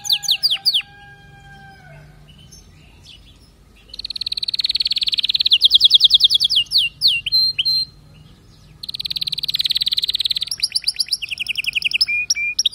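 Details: Canary voice with drawn-out descending whistles at first, a quiet gap, then loud rapid trills and chattering runs, another pause and a second rolling trill sequence.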